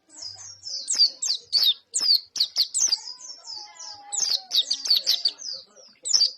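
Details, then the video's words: Dense, continuous white-eye twittering: fast, high, downslurred chirps with sharp clicks in between. A faint lower whistled line runs underneath midway through. "pleci gacor mp3"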